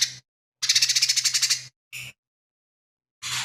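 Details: Lesser green leafbird singing actively, its song said to be filled with imitations of fighting sparrow, tengkek buto and cililin: short bursts of rapid harsh buzzy pulses, one long rattling phrase about a second long, over a steady low electrical hum.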